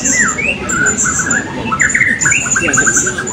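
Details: Serindit, or blue-crowned hanging parrot, competing in a 2024 open bird-singing contest at Balingian: sharp high squeaky notes and short warbled chirps repeated in quick bursts, over steady thin high tones and low background murmur of people.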